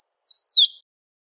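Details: A wild great pampa finch sings a high whistled note that breaks into a long, clean downward slur, fading out after under a second. The surroundings are silent.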